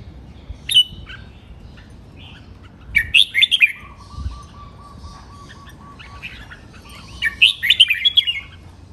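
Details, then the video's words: Caged red-whiskered bulbul training song in the Thai rik, nap dok, mae bot and lak wai styles: two bursts of quick bright chirping phrases several seconds apart, over a steady hum, a thin continuous tone and low background noise. "เสียงร้องเล่นริก นับดอก แม่บท ลากหวาย คมชัด สำนวนเพราะ เสียงฝึกร้อง"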